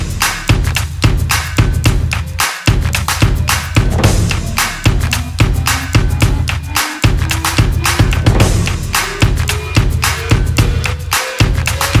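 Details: Drum-kit music with a steady thumping bass drum and snare beats, and no animal voice heard.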